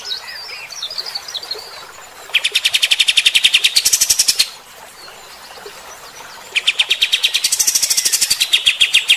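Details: Bulbul called kapas tembak delivering harsh rapid 'tembakan' song meant to provoke fighter-type birds; soft twitters, then two long loud runs of fast stuttered chips separated by a quiet spell.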